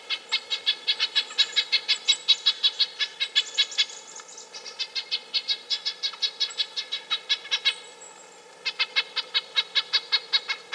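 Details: Red-breasted nuthatch repeating quick nasal, toy-trumpet-like notes, roughly three per second, in a near-continuous run broken by one short pause late on; faint high thin whistles sound in the background.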